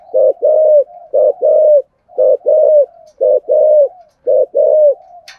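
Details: Spotted dove giving its thổ sấm voice song with two ending notes: low, hollow double coos, a brief note followed by a drawn-out one, five phrases at a steady one-second rhythm, a faint click at the end.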